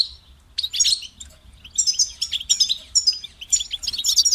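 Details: Captive European goldfinch song: a sharp opening note, then quick sequences of tinkling, liquid twitters and short trills in high register, delivered in close bursts.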